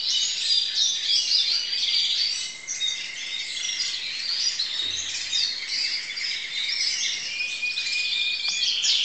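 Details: Crested canary song from 2012: dense, busy warbling of mixed trills, buzzy notes and brief whistles running nonstop, with a steady high tone held through much of the stretch.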